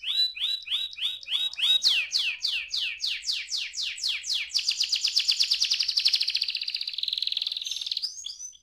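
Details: Young canary song: steady repeated whistled syllables that accelerate into fast downward sweeps, then merge into a long rapid high trill before a final short whistle.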